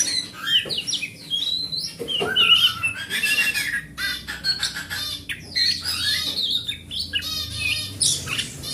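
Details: Forest oriental magpie-robin pouring out lure song for a magpie-robin that has stopped singing: harsh squawky chatters alternate with bright whistled slurs and fast trills in a busy, varied sequence over a low hum.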